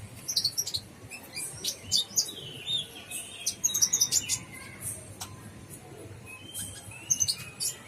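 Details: Brown-throated sunbird, locally kolibri ninja, singing in the vigorous gacor style with full isian. Bursts of thin, high chirps and short sweeping whistles come in clusters, with brief pauses between phrases and a faint low background hum.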